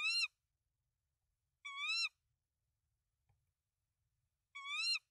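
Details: Nesting tawny owl in Denmark, 24 March 2024, three eggs in the nest, male arriving with rodents for the female; three rich, bending calls of under half a second, separated by gaps of about one and a half to two and a half seconds.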